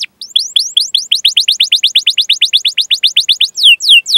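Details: Training song of a canary meant to draw young birds into singing: a steady tour of about twenty-five rapid, falling chip notes, ending with a few broader swooping whistles.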